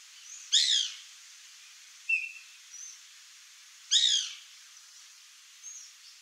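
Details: White Woodpecker (Melanerpes candidus) gives two harsh, chattering bursts about three seconds apart, with soft high chirps from other birds between them.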